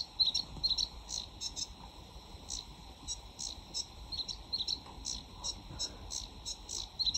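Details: Singing sedge warbler, summer breeding visitor to the UK, in full flow; rapid scratchy phrases of clicking, buzzy elements interrupted by short thin whistled notes, the chatter pulsing several times a second with faint background hiss.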